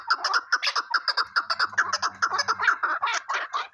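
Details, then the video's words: Chukar partridge calls with a fast run of repeated mid-pitched chuck notes, roughly four per second, steady and clucking, rising in intensity toward the end, over a brief low mechanical hum partway through. "Keklik sesi"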